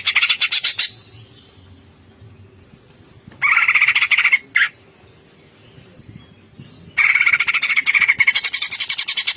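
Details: Greater green leafbird singing through its repertoire: bursts of rapid rasping trills separated by pauses, ending with a long buzzy rattling run.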